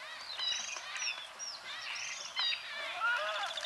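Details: White-fronted bee-eaters (Merops bullockoides) in Kenya chatter in overlapping, liquid chirps and short rising and falling notes, several birds calling at once over faint background noise.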